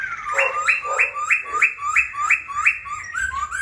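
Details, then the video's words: A caged silver-eared laughingthrush, tame and singing through the day with wings dancing and tail spread, gives a steady run of ringing upslurred whistles, roughly three each second, ending in softer lower notes. "Khướu bạc má vip múa cánh đuôi xòe, chim thuần sách lồng hót, hót cả ngày"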